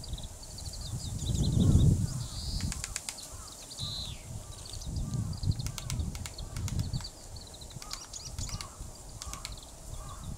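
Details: Japanese pygmy woodpecker drumming at Tataranuma Park, Tatebayashi, Gunma, Japan, in February 2016; several short rapid bursts of tapping repeated through the recording over low rumbling background noise and faint calls.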